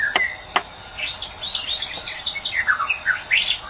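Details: From Medan, a white-rumped shama pours out quick varied song: two sharp clicks, then twittering chirps, falling whistled slurs and rising sweeps, against a constant high insect-like hum.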